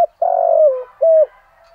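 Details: A Vietnamese decoy spotted dove at dawn gives part of its thổ-style cooing: one long, pulsing coo that sags in pitch, then a short level coo.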